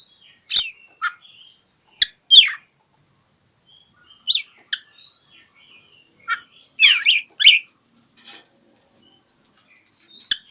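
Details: Oriental magpie-robin singing to challenge a rival, used to provoke silent birds into singing: loud sharp rising and falling whistles and harsh chattered notes in separate bursts, with brief thin sustained tones between phrases.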